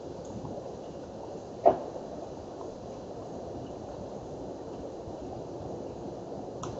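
Steady low hum and hiss with one sharp knock near the start; no calls are heard.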